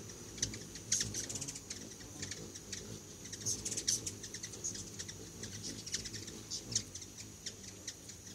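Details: Hummingbirds visiting a feeder stocked with homemade food give rapid, very high, dry ticking chips in loose bursts, with a steady high-pitched hum running underneath throughout.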